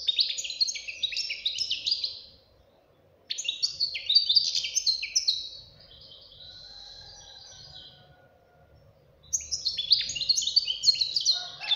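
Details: Young European goldfinch fledgling singing powerfully; three bursts of rapid tinkling twitters and trills separated by short pauses, with a quieter thin warble between the second and third bursts.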